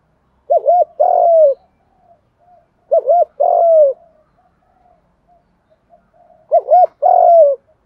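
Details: Decoy spotted dove used for trapping, singing the 'thổ pha' voice: three low coo phrases about three seconds apart. Each has a warbling two-beat start and a sustained note that drops slowly. Soft faint notes fall between phrases.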